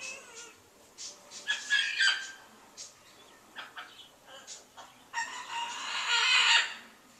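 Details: Large pet bird kept on a back porch in January, calling for a long stretch: a series of harsh, raspy broadband squawks, short bursts at first, then a longer loud screech near the end.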